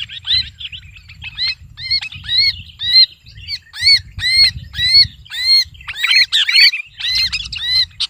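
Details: Sooty-headed bulbul (kutilang) screaming as if held in the hand, a lure call. Harsh, arched double-toned squawks repeat almost twice a second, bursts crowding together, with low rumbling handling noise underneath.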